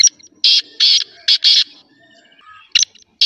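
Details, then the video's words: Kala teetar (black francolin) giving a loud rasping phrase of four to five coarse notes, followed by quieter calls and a renewed harsh note at the close. "Black Partridge Voice/ Kala Teetar Awaaz"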